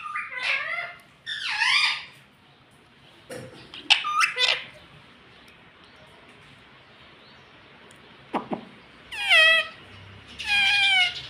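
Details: Pet parrot that talks, saying words like mummy, papa and mitthu, gives scattered squawked, word-like phrases at the start and end, with clicks and faint background hiss between.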